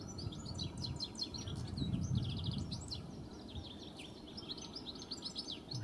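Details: A lone European goldfinch sings fully in Kennemer Dunes, Netherlands, on an early spring day: a very high, busy babbling song of rapid tinkling notes and pit-pit-pit phrases, over a low rumble of wind or distant traffic.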